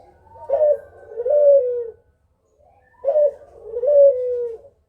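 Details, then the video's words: Lure call of a Kugeruk: two low cooing phrases about three seconds apart, each opening with a rough note and sliding into a drawn-out coo that drops in pitch. "Suara Burung Kugeruk Cocok Buat Pancingan"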